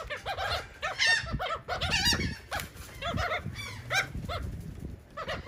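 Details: Seagulls at a cake in Atlantic City, New Jersey, calling in short repeated arched yelps mixed with harsher squeals, several birds overlapping, low knocking sounds underneath.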